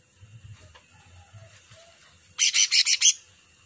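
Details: Cucak ranting giving a short burst of five shrill, high pulsed notes in quick succession near the end, after soft low background murmur.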